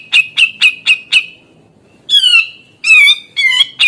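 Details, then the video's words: Grey-cheeked bulbul in lively song: five quick, sharp, harsh notes at an even pace, a short pause, then three longer buzzy, nasal, wavering phrases that dip and rise, in a quiet setting. "Cucak jenggot gacor"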